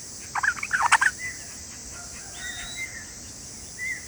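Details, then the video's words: Father bulbul giving alarm calls to protect its chicks from a predator: a loud burst of harsh, scratchy chattering notes over about a second, followed by thin, quieter whistled tones and a faint background hiss. "Father Makes Strange Sounds to Save babies from predator | Listen to predator | bulbul bird"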